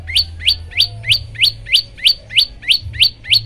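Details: Olive-backed tailorbird training song meant to set other birds singing: a steady run of eleven sharp, upward-flicking notes, about three each second, evenly spaced and loud, with a low hum underneath.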